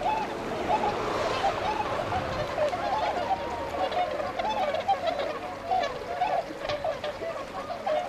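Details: Tundra swans gathered at Otakarada pond, Azumino, Japan, late February 2013, leaving to feed in rice fields; a dense chorus of hoarse honks and bugling notes, continuous, with faint higher chatter above.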